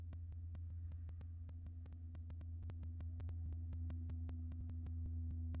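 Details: A steady low mechanical hum runs throughout, overlaid with regular sharp clicks about four times a second.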